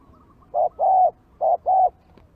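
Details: A spotted dove used as a decoy, challenged by wild birds, gives two soft, low coos about a second apart, each a short note then a longer, steady one, against a quiet background.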